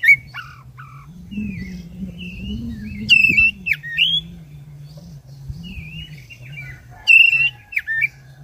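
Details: Black-breasted oriental magpie-robin in lively 'gacor' long-rolling form, singing to provoke caged birds: clear whistled notes and short trills, some sliding upward, in scattered phrases over a low background hum.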